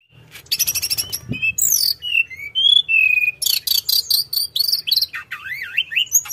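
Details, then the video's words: Sunda robin in energetic, continuous rolling song: rapid repeated high chirp series, sharp whistled notes around mid-pitch, then dense buzzy bursts and looping up-down whistles near the end, with a low steady background hum. "Kicauan Tledekan gunung full gacor ngeroll"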